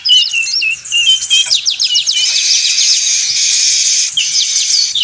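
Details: Weaver calls played as a lure for trapping birds, noisy and busy: dense chattering of high whistles, rapid down-slurred notes and buzzy trills overlapping continuously, as from several birds.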